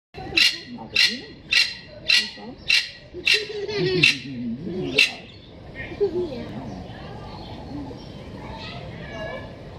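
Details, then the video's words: Yellow-necked spurfowl from East Africa, kept in Blijdorp zoo, calling loudly on 12 October 2018 before going off to forage. It gives a series of about eight harsh, grating notes, roughly two every second, then stops. Visitor chatter continues throughout. "Geelkeelfrankolijn roept en zoekt voedsel"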